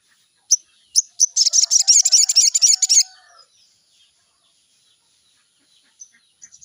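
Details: Morning lure recording of a sooty-headed bulbul meant to get birds singing soon: two sharp single notes, then a dense rapid buzzy trill for about two seconds, followed by near silence and faint chips.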